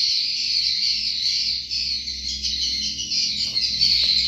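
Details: Swiftlets in a steady, dense mass of high, thin chirping and twittering that runs unbroken, with the calls blurring into one continuous shimmering buzz.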